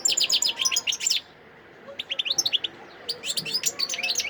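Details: European goldfinch song from Sidi Bel Abbès, Algeria, December 2021: three bursts of rapid, high, sharp twittering notes separated by short silences, the phrases bright and chattering.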